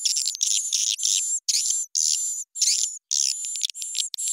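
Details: Edible-nest swiftlet lure call, pitch and tempo raised, used by swiftlet farmers with pulling and hexagonal sounds: blocks of harsh high twittering about half a second long, each with a sustained thin whistle, separated by brief silences.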